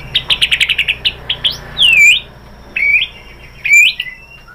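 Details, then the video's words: White-rumped shama, lure for provoking song: a quick trill of high chirps, then three loud, drawn-out whistles sweeping downward, spaced about a second apart, with faint hum behind. "MURAI BATU jadi NYAUT GACOR BONGKAR ISIAN ¦ PANCINGAN MURAI ¦ SHAMA BIRD"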